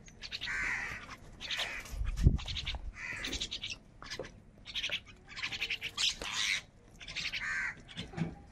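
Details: Crows fighting over food make a jumble of rough, scratchy caws and squawks, overlapping and irregular, with a few thuds.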